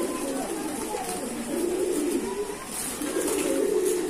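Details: Domestic pigeons cooing steadily: low throaty rolling coos in long phrases, one following another with brief pauses, over a quiet hiss.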